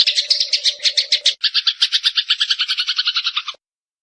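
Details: Eurasian tree sparrow song for songbird training: rapid series of harsh chirps, switching midway to a slightly lower, evenly spaced run of metallic notes that ends abruptly; faint low hum early on.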